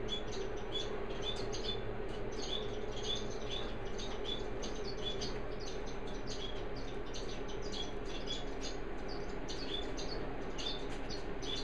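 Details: Orange-breasted waxbills, preening and cuddling, give thin, high chirps and tsips, several each second, in loose runs over a steady low hum.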